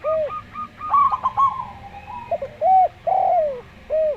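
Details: Zebra dove of a local strain singing in a slow style beside a Javan derkuku. Quick clipped notes are followed by a drawn-out level coo, then separate rounded, drooping coo notes.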